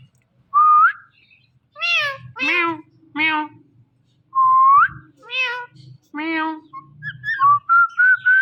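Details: Indian ringneck parakeet talking at night: short rising whistles alternate with harmonic, speech-like syllables in bursts, several clipped notes near the end, with a low background hum throughout.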